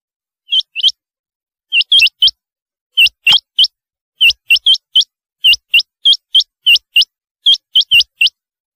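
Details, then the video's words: Rain quail, also called black-breasted quail, giving clipped, metallic upswept notes in doublets and triplets, repeated steadily with short pauses between bursts. "Chinga Batair ki awaz"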